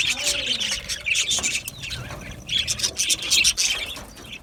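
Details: Several Australian budgies twittering: rapid high chirps and grating warble notes, with a soft lower whistled note near the start; the chatter swells and fades unevenly.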